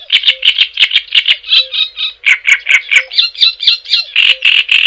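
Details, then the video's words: Continuous Java sparrow chattering song used as a tutor recording: steady loud pulsed notes repeated roughly every fifth of a second, shifting between buzzy and bell-like tones, with faint low beeps. "Suara Ocehan Burung GELATIK JAWA Untuk Pancingan Dan Masteran"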